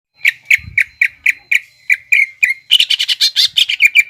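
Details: Greater green leafbird singing in the 'nembak ngekek' style, played as a lure for young birds to copy. A row of short downslurred whistled notes about every quarter second runs into a rapid, dense chattering burst at the end.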